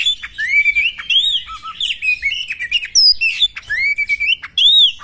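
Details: White-rumped shama female used to rouse a male into tail-spreading combat display; sweet arched whistles, short low double notes and chattering squeaks interwoven in a brisk, varied phrase.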